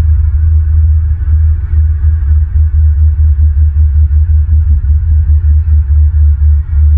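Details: Deep rhythmic throbbing hum fills the recording, with no bird or other animal calls.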